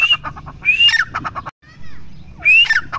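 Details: Grey francolin (teetar) call phrases: a rising whistle with a dropping tail and rapid clicks near the start, a brief silent gap, then one more loud rising whistled phrase.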